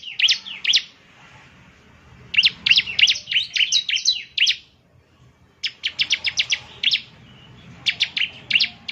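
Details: Bar-winged prinia song for stimulating caged birds: clusters of fast, high, clipped chirps in three separate bursts, each lasting one to two seconds, with quiet gaps between them.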